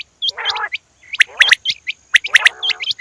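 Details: Female quail uttering grating nasal buzzes between bright clipped chirps and high hooked squeaks, in quick irregular bursts.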